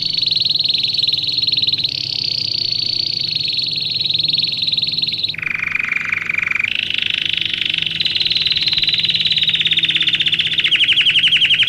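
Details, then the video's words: Long domestic canary song for training young birds. Continuous rolling trills change tour several times: high and steady, briefly dropping lower, then climbing again, and ending in a very fast, fine trill. "Canário Do Rei Canto Lindo Para Filhotes Em Treinamento"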